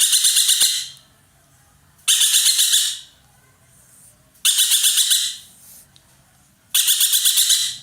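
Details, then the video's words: A dollarbird (ekek keling), prized as a loud tutor bird for songbirds, chattering energetically in four harsh, grating bursts of rapid pulses. Each burst lasts about a second and they repeat roughly every two and a half seconds. "burung ekek Keling gacor nembak"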